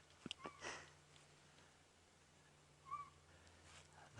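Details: Southern Boubou giving two short, plaintive whistled notes about two and a half seconds apart during an evening sunset safari drive, July 2016, over a low idling vehicle engine hum with a few clicks and brief voices.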